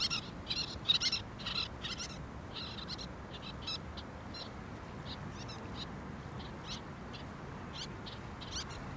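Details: Little Tern (Sternula a. albifrons) in Thessaloniki, Greece, April 2024, giving high, scratchy, rasping calls, rapid in the first two seconds, then scattered, over a steady low rushing background.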